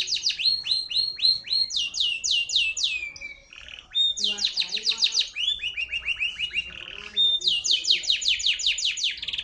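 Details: Grey canary in full song, loud rapid trills of sweeping downward notes changing from phrase to phrase, with short pure whistles in between and some faint lower background chatter.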